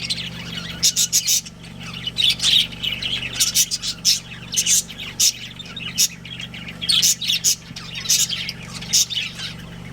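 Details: Pet budgerigar breeding pair twittering in bursts of squeaky high chirps and scratchy warbles, pausing briefly between clusters, with a low constant hum behind.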